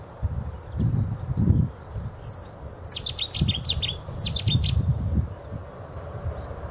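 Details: Cetti's warbler at Radipole Lake: an explosive, very loud burst of rapid, sharp high notes lasting about two and a half seconds, with low rumbling background noise.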